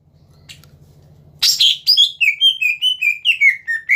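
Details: After a quiet start with low hum, a caged greater green leafbird bursts into a fast run of short whistled notes, stepping slightly downward, meant to provoke rivals into singing.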